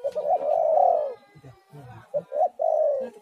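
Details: Spotted dove cooing for luring doves to sing: a few quick notes running into a long, husky, rising-then-falling coo, a pause with low rumbling, then another stuttered coo phrase.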